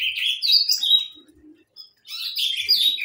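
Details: Saffron finch song: a lively phrase of chirps and slurred whistles, then a quiet pause of about a second with a faint low buzz, before another busy burst of high notes.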